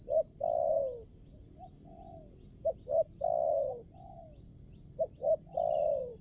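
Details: Spotted dove kept as a trapping decoy for wild doves at a new spot; repeated three-part coo phrases, short double notes leading into a long falling coo, with fainter answering coos and a high insect drone.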